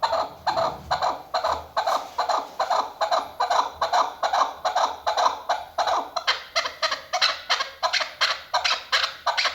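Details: Female chukar partridge, heard as a hunting call, repeating a steady train of harsh chuck notes at about two and a half per second, with the notes growing sharper and brighter near the end.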